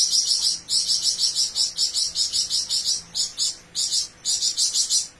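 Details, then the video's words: Energetic flamboyan bird delivering long bursts: very high, buzzy notes pulsing rapidly in near-continuous trills, broken by a few brief breaks, with no other clear sounds. "Burung Flamboyan Gacor Besetan Panjang"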